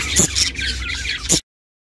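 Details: Pet budgerigar chirping, recorded for lonely budgies: a brief burst of scratchy high chirps and warbling chatter with sharp clicks at the start and end, cutting off abruptly into silence.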